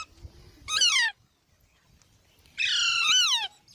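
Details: Baby parrots giving two harsh, harmonic squawks, each sliding downward; the first is short and the second longer, with near silence between them.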